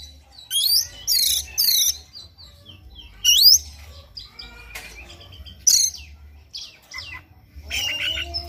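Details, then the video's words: Oriental magpie-robin singing in the morning, played to spur kept birds into song: loud rapid bursts of high chattering trills and sweeping whistles separated by pauses, with scattered sharp clicks and short notes. "PANCINGAN KACER PAGI HARI AGAR NGOTOT NGEPLAY BONGKAR ISIAN"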